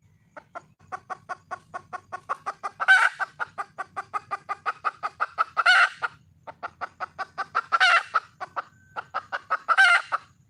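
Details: Wild red junglefowl hen calling for a male: long runs of quick, evenly spaced clucks, broken about every three seconds by a loud, harsh, ragged squawk before the clucking resumes.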